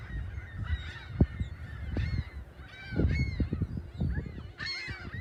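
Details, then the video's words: Seagulls on South Beach, South Haven, on the morning of March 21, 2021, with the lighthouse and pier ahead. Several grouped bursts of arched, nasal squawks stand out above low thumping background noise. "Morning Sounds of Big Blue & Seagulls"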